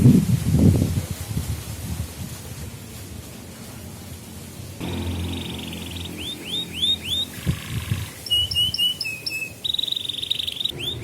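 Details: Training and lure song of a canary for young birds: after several seconds of low rumbling background noise, a high buzzy trill starts, with upslurred chirps, a lower rattling roll and sharp whistled notes over continuing background hum.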